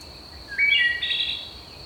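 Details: Wood Thrush singing early morning in summer from dense cover at Manassas National Battlefield Park: one brief, flutelike phrase of several notes sung simultaneously at different pitches, rising then fading, over a steady high insect drone.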